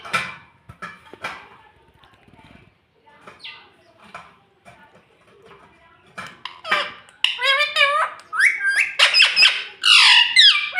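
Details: Pet rose-ringed parakeet known for saying "mummy" gives loud, wavering, harmonic squawks and talk-like phrases in quick succession after quieter rustling and clicking at the start.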